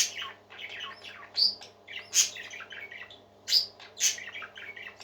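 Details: Cheerful parakeet singing: raspy, chattering notes with a few loud, sharp squawks standing out roughly every second, mixed with softer twittering between them and a low steady hum.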